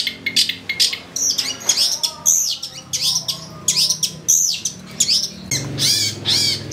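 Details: Long-tailed shrike delivering a varied isian-filled song, used as a lure to make shrikes sing excitedly. Dense, loud run of high slurred whistles, chirps and harsh notes, with arched sweeping phrases near the end.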